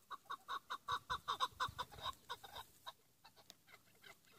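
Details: Chukar partridge giving the 'pat' call: a rapid run of loud, clipped chuk notes, about six per second, with bright upper overtones, then softer, more scattered notes trailing off.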